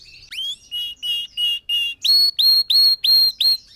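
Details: A red factor canary sings clear whistled notes: first five level notes, then five higher ones that each open with a quick upward sweep, about three per second.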